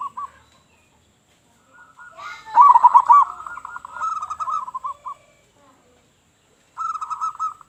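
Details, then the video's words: Strong-voiced local zebra dove calling to attract other doves: a loud cluster of accented coos running into a rapid even trill, a pause, then another brisk trilled phrase. "Perkutut Lokal Gacor Suara Besar Suara Paling di Sukai Burung Perkutut apa Saja"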